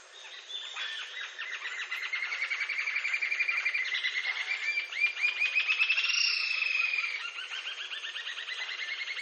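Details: Green-tailed jacamar (Galbula galbula) in Brazil giving a long, rapid series of high, thin piping notes that speed up and climb into a trill, with a faint background hiss.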